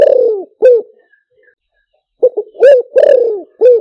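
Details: Spotted dove luring call for speaker playback, deep and resonant: a long falling coo and a short note, a pause, then a stuttering run of coos ending in a drawn-out descending croo.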